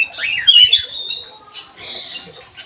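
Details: Energetic song from an aviary Black-naped oriole, a short, harsh, high slurred phrase followed by a softer drawn-out note.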